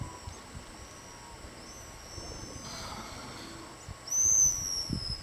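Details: High-pitched whistle calls of pigeon guillemots from an unattended camera: faint drawn-out whistles early, then a loud, sharp, slightly wavering whistle near the end. An elephant seal breathes and sea lions roar in the background.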